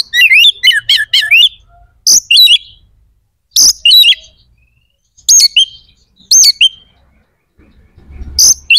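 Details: White-rumped shama singing to spur other shamas' aggression and breeding drive: a quick opening run of repeated high whistled slurs, then separate bright phrases with harsh accents, spaced about a second apart.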